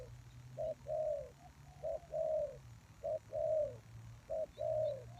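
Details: Spotted dove used to lure wild doves, cooing in short-long pairs at moderate volume over a steady low hum.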